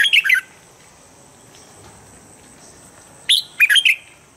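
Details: Standard training song of a Red-whiskered bulbul, used each morning to make birds quickly fired up: a short bubbly three-note phrase, a long quiet gap, then another quick warbled three-note phrase.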